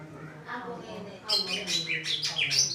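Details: Greater green leafbird grumbling when the weather suddenly clouds over; a voice speaks briefly, then a burst of bright, high chirps and quick whistled notes follows in close succession.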